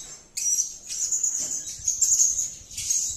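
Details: Blue-crowned hanging parrot calling: a continuous, very high, thin shrill trill with wavering, buzzy texture, starting abruptly and running with slight rises and dips.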